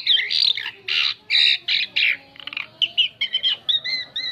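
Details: Lure song of an Asian pied starling, used to attract other birds: a rapid run of loud grating squawks and buzzy notes, then a string of short clear whistles repeated about every quarter second.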